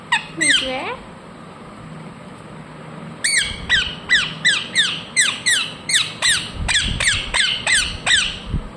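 A rose-ringed parakeet gives harsh, descending screeches, a quick pair and then a fast series of about fifteen, roughly three per second, with faint room noise.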